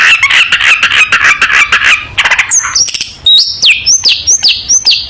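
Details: Long-tailed shrike song offered as a model for young shrikes to learn: opens with a rapid raspy chatter, then shifts to a series of high clear whistled notes, each dropping in pitch, repeated about every half second.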